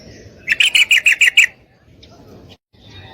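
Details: Short mating call of a female yellow-vented bulbul inviting a male: seven quick ringing notes in under a second, followed by quiet hiss and faint distant chirps.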